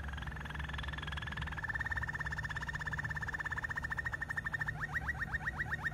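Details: Malinois canary delivering a long, even rolling trill of rapid identical pulses that speeds into distinct upward-swept whistled notes, about three per second, against a low background hum.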